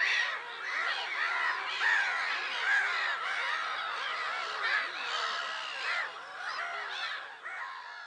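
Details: Kazakh lake colony sound: black-headed gulls at Lake Sarymsak, Pavlodar region, 10 April 2011, giving many overlapping raspy, curved cries, the chorus rising and falling in loudness over several seconds.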